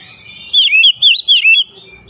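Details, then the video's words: Oriental magpie-robin singing in morning sun, a single quick phrase of four bright, twisting whistled notes with sharp downward and upward sweeps. "SINAR MATAHARI PAGI SANGAT AMPUH MEMBUAT KACER LEBIH GACOR"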